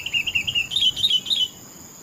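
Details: Sooty-headed bulbul song of about eight clipped, evenly spaced notes. The first notes are lower and slightly descending; the later ones jump higher and sound sharper. The phrase ends abruptly, followed by a quiet hiss.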